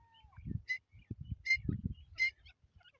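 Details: Dakhni teeter, the grey francolin: three loud ringing notes evenly spaced about three-quarters of a second apart, over low rumbling handling noise and faint high chirps.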